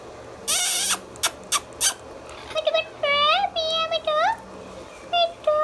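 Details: Talking pet Indian ringneck parakeet gives three or four harsh screeches. These are followed by a run of nasal, voice-like phrases with rising and falling tones, then two short squeaky notes near the end.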